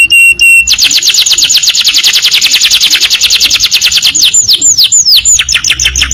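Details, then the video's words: Canary in a training recording of long rapid-fire song: a few clipped notes, then a fast, even trill of repeated high syllables running for about four seconds, ending in quick downward-sweeping whistles. "masteran kenari super tenbakan panjang"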